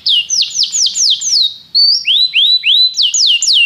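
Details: A canary sings a slow series of loud, clear, downward-sliding whistles, pauses briefly, then switches to rising swept notes before returning to the falling whistles.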